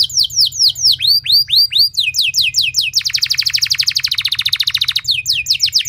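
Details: Canary singing long and loud to draw song from other canaries: arched whistles and falling notes, then a fast dense trill of about ten notes a second, over a low hum.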